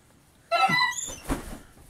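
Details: A young gull chick, raised indoors and wintering in a city apartment, "talking" to its owner: one squeaky, slightly rising whistled call, about half a second long, followed by a brief soft knock in a quiet room.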